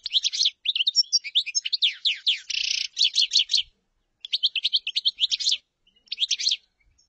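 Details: Chaffinch song in dense, high sweeping notes and short buzzy bursts. After a brief gap it runs on with two more rapid phrases. No background noise.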